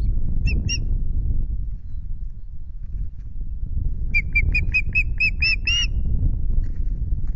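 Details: Ospreys at a nest camera at Loch Garten on 5 July, the female with chicks and the male bringing two fish: two short whistled chirps, then a quickening run of about eight loud, piercing chirps, over a steady low wind rumble.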